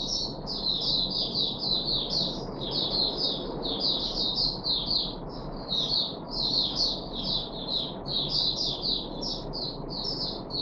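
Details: Puff-backed bulbul in a cage, 14 July 2021, on its third deworming day: a fast, continuous chatter of high, sliding notes over a steady low hum.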